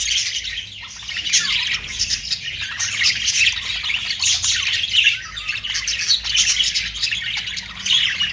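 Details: Lively budgerigar twittering, with rapid chirps, warbles and rasping squawks layered thickly together, rising and falling in loudness throughout.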